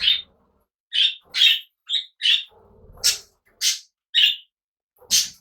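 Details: Cockatiels living alongside budgies as pets; a series of short, bright chirping calls, about ten in five seconds and spaced irregularly, with soft low rustling and knocking in the background.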